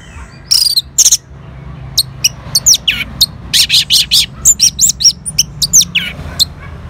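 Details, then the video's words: Orange-headed thrush answering a lure sound, recorded in Singaraja, North Bali: a fast series of sharp, high clicking and whistled notes, with several quick repeated bursts and varied chirps over a steady low hum. "Sangarnya Respon ANIS MERAH Langsung Nyaut Dengar Pancingan Suara Burung Ini."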